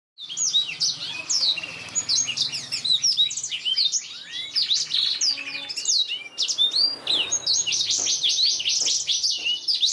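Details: Black-throated canary in full, lively song, a master recording for training canaries; a dense stream of fast high twittering trills and sweeping whistled notes, briefly pausing near six seconds before resuming.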